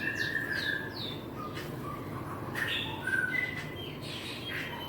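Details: Twenty-five-day-old white-rumped shama chick, hatched 30 March 2024, utters sharp high downslurred squeaks and brief whistled notes in uneven sequence, with a continuous low background rumble.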